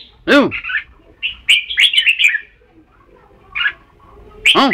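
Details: Red-whiskered bulbul: a run of bubbly, warbled notes, with loud, harsh, sweeping squawks at the start and the end.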